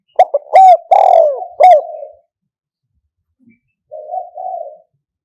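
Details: Lure-playback recording from 2022 of a spotted dove's '1 kuk' call, 'kham khu kham, khu kom': quick loud notes and a long sliding coo close together, a pause, then a quieter wavering two-part coo.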